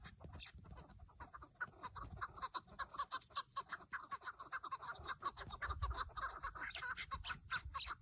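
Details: Rapid, repeated clucking partridge calls during a decoy partridge hunt on 30 March 2024, in Turkey, the notes coming in quick irregular bursts throughout with faint low background rumble.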